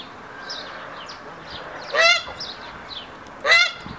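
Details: Hybrid Canada geese, a male displaying to a female in the triumph ceremony during the second stage of pair formation: two loud harsh honks about one and a half seconds apart over faint high chirping of small birds.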